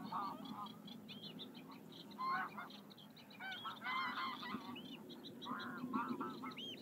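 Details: Common terns (Sterna h. hirundo) at Doel, Belgium, in July 2021: harsh, grating, down-slurred calls overlapping in a busy colony chorus, with a steady low rumble underneath.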